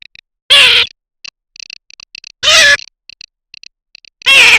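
A Garganey gives three loud, harsh, nasal calls about two seconds apart, with faint dry clicking notes in the gaps.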